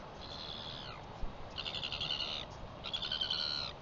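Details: A Northern royal albatross, recorded 4 September 2021, gives three high, thin, wavering whining calls, each under a second long and spaced about a second apart, over a steady low hiss.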